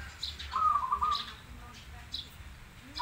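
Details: Zebra dove, crossbred against local birds, singing actively: a single rapid, rolling coo phrase of about a second, followed by scattered high chirps from other birds over soft low hum.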